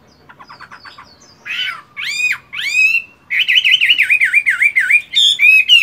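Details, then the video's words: A moulting caged fighting Chinese hwamei trains its voice in the morning: soft repeated chips, then harsh rasping notes and loud upslurred whistles, followed by a fast rolling series of wavering whistles. "Chiến tam hoàng, luyện công buổi sáng!"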